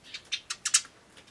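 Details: Eurasian tree sparrows at a bird table chirp while eating on 24 May 2013, giving a quick run of about six bright, high 'chun' chirps, one every fifth of a second, fading to softer notes.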